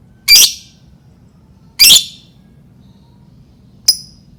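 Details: Lovebird lure sound meant to get other lovebirds singing: two strident chattering bursts about one and a half seconds apart, then a short sharp chip, over a soft low hum.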